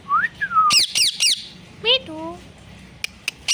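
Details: Pet parrot, a mithu, heard in a short run of vocalisations: a clean rising whistle, a falling slurred whistle, three sharp buzzy squawks, then tonal harmonic notes falling in pitch, with faint clicks at the end.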